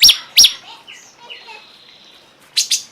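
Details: Cungkok song: two sharp, high, downward-sweeping chirps, then soft thin whistles and short glides, and a final quick pair of bright chirps. The background is quiet.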